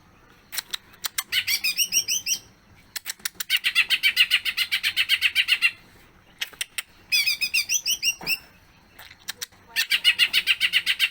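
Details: Greater green leafbird singing hard in an extended song showing off its fills: clusters of rising whistled slurs alternate with long, rapid runs of buzzy chattering notes, about four per second, with short gaps.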